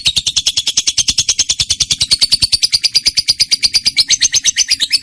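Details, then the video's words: Trained lovebird with a strong voice, singing: an unbroken run of rapid, high, shrill chattering notes, about eight per second, kept up steadily for five seconds. "lovebird mp3 cocok buat pancingan burung kesayangan"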